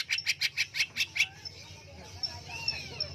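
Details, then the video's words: Caged greater green leafbird under a cage cover giving a quick burst of about eight evenly spaced chirpy notes, then softer thin whistles over a low background hum. "Burung Cucak Hijau On-fire di dalam kerodong"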